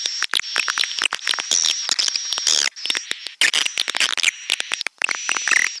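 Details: Stereo swiftlet lure sound, Pelangi Senja vs BJA Birahi: fast rattling clicks in bursts separated by short gaps, overlaid with a steady, very high, thin whistle and brief chirps.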